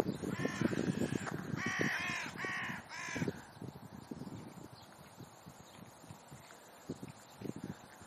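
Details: Crows romping on a meadow in Leipzig's Rosental beside the zoo: four loud, hoarse caws in the first three seconds over thumping and rustling, then mostly rustling noise.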